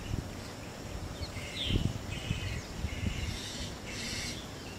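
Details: Two spotted owlets in Bangalore, Karnataka, giving a run of harsh, screechy chirrs, about five short bursts in quick succession, over low rumbling wind or handling noise.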